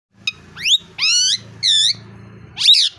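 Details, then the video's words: Pet plum-headed parakeet at home, a male that once landed on the roof with an injured foot, makes a quick rising chirp then three sustained harmonic whistles, one arching upward, ending in a buzzy rising squeal over a low background hum. "Plum Head Parrot Whistling"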